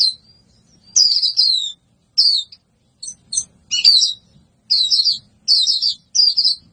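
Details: A white-eye sings vigorously in clipped, high twittering phrases with uneven gaps, some notes sharp and chip-like, others slurred into quick warbles.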